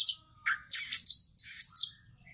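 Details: Oriental magpie-robin used as a lure for a stressed bird: short harsh chattering bursts and high scratchy notes in three spaced clusters, with a quiet pause at the end.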